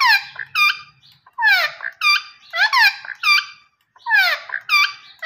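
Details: Green ringneck parrot talking indoors: harsh, squeaky descending syllables with rich overtones, delivered in uneven bursts of two or three with short gaps, the voice strained and nasal.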